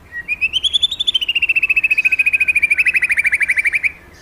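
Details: A lively magpie-robin pours out one fast, even trill of clear notes. The trill rises at first, then runs on steadily for about three seconds before stopping abruptly, leaving a faint background hum.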